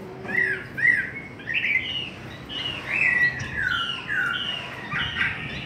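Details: Chinese hwamei singing in a contest, a softer, more distant sequence of slurred whistles, some rising, some falling, over a steady background hiss.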